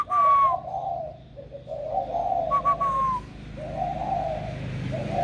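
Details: Spotted dove raised from a chick, about a year old, just starting its warm 'thổ' style cooing: sustained low, rounded coo phrases, opening and broken by brief high descending notes, over a faint hum.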